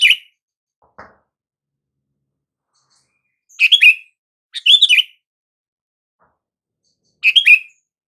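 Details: Sooty-headed bulbul call to get silent bulbuls responding: a short chirp, a faint tick, then three bubbly descending warbles at irregular intervals, clean and without background noise.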